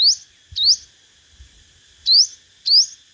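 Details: Competitive singing of a five-coloured sunbird, a lure recording: four high, thin upslurred notes, each sweeping quickly upward, in irregular spacing.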